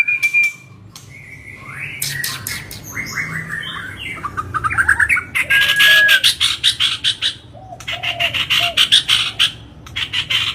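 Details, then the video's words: White-rumped shama singing non-stop, emotional and aggressive, as a provoking lure: a varied mix of whistled notes, quick slurred phrases and repeated harsh, buzzy rasping bursts in rapid, irregular succession. "Pancingan Murai Batu Emosi, Gacor Nonstop 24 Jam❗❗ AUTO Buka Paruh Langsung Ngamuk"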